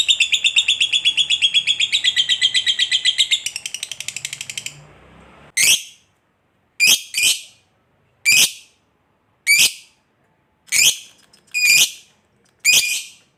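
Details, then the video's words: Lovebird in ngekek panjang style, a long chattering song used as a lure for other lovebirds: a fast rattling chatter for nearly five seconds, then loud, harsh single squeaks about every second and a half. "SUARA BURUNG LOVEBIRD NGEKEK PANJANG"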